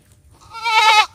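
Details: Indian peafowl giving one loud, nasal call of about half a second, rising at the start and then holding steady, with rich stacked harmonics, over a quiet background.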